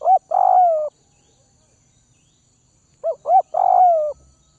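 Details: Spotted dove from the Tây Bắc (Northwest) region, a bird being hand-fed and tamed to lose its fear of people: a three-part coo with two short rising notes and a long mellow falling note, one phrase cut at the start and one whole phrase later, on a quiet background.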